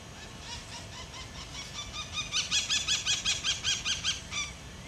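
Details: White-eyed parakeet (Aratinga leucophthalma) at Cerradinho, São José dos Campos, São Paulo, Brazil, gives about a dozen harsh, screechy calls in rapid series, building louder toward the end, against a quiet background.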